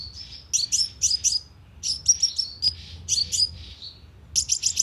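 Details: Sunbird call played as a lure with a loudspeaker trap in Vietnam: short bursts of three to four high, bright chips alternating with thin buzzy notes, separated by brief pauses.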